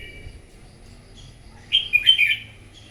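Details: Red-whiskered bulbul, wild-caught, in morning competitive song: near-silence with a faint steady note at first, then a sudden loud burst of bubbly, jumping whistled notes lasting about half a second.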